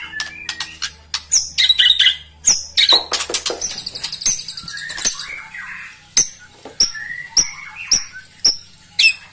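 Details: White-rumped shama song used as bait to anger rival birds: varied high whistles, sharp chips and buzzy bursts in quick succession, then spaced loud clicks and bright notes over a low steady hum.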